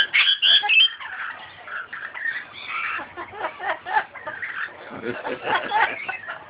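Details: An Amazon parrot sings "You Are My Sunshine" in a bass, hoarse, voice-like warble, with uneven phrases rising and falling through about six seconds.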